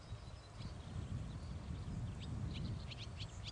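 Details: Young barn swallow recorded on 1 August 2011: thin, sharply rising chirps that come in a quick run through the second half, over a steady low rumbling background.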